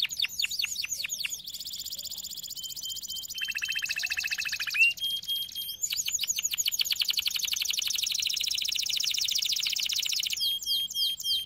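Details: Canary training song, dense and layered: overlapping rapid trills and rolling tours at several pitches, including a lower buzzy rattle, sounding like more than one singer at once.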